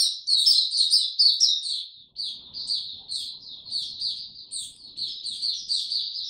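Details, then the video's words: Recorded 26 March 2022 in warm, very humid weather, a white-eye sings an energetic, high-pitched twittering warble. A brief break comes after two seconds, then a steadier stream of quick, sweet chirps continues. "Mata Puteh Hercules buka sing warm n very humid weather"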